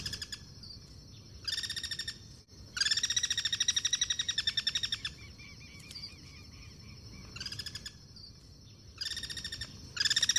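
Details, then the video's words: Guira cuckoos cross-singing in the wild: several loud bursts of fast, grating repeated notes, one long run lasting about two seconds, separated by short pauses with softer calls between them. "El sonido del Pirincho: Cantos cruzados y vida en libertad"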